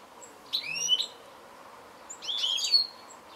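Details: Goldfinch call: two brief bursts of twangy, rising slurred notes about a second and a half apart, with soft hiss in between.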